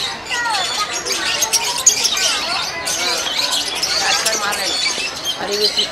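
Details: Masked lovebirds at Nehru Zoological Park, Hyderabad, chatter as a flock: shrill, rapid squeaks and chirps overlap in a constant high-pitched stream.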